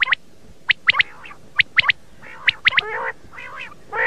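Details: Common quail giving sharp, liquid three-note calls, repeated roughly every second, with harsher nasal squawking notes between phrases; recording used as a morning hunting lure.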